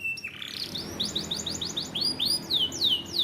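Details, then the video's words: Canary singing, opening with a steady high whistled note, then a fast run of repeated downward-sweeping chirps that shift into longer, louder descending whistles near the end, about three per second; faint low background hum. "Does your canary have difficulty singing? play this now"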